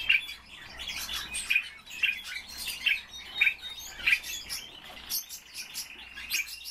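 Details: Indoor common starling, kept as a pet, singing while warming up: a dense, chattering run of clicks, crackles and short high notes with little pause.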